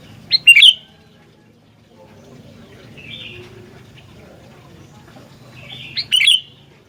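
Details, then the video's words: Sooty-headed bulbul (gentilang), a singing bird. Two loud, bright chattering bursts of quick notes open and close the clip, with a softer short phrase in between, over a faint low hum. "Burung Gentilang Gacor"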